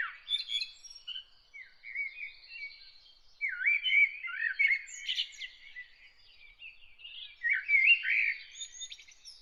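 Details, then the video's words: Morning bird song with a lively, rambling warble of chirps, rapid trills and upswept whistles, quieter in places and swelling in louder bursts. "Bird singing early in the morning"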